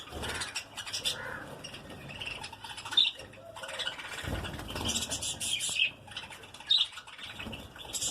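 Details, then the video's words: In a breeding colony of lovebirds, high squeaky chirps and brief shrill notes come in uneven bursts, with soft rustling and faint background chatter between them. "Love birds (Baggies) colony breeding"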